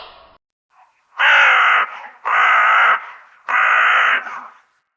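A raven gives three harsh, hoarse calls, each over half a second long, spaced about a second apart, with only faint background in between.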